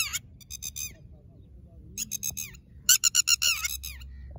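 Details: Wild red-wattled lapwing (tateri) at a ground nest where eggs are laid: sharp, high, rapidly repeated notes in short bursts, a brief one at the start, another near one second and a longer, louder run near three seconds, over quiet background.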